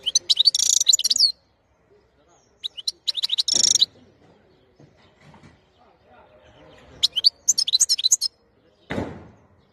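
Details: A European goldfinch, 2021, gives repeated short bursts of fast, high, jangling twitters separated by quiet pauses. A dull thump sounds near the end.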